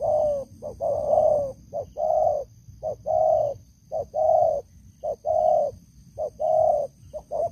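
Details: Spotted dove, an experienced decoy bird with a loud voice, giving rhythmic cooing phrases: short clipped notes followed by longer, slightly falling coos, repeated about once a second, over a low background rumble and faint steady hum.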